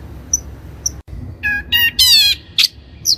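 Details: Long-tailed shrike (cendet), used as a lure recording to train other shrikes: two faint short chips, then a burst of varied notes, including a stacked harmonic note, a dense buzzy rasp and a sharp high chip, over a quiet low hum.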